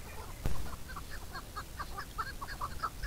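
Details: Close chukar calling a quick run of about a dozen hoarse chuk notes, roughly four per second, growing slightly louder, after a brief thump near the start; faint high insect buzzing behind.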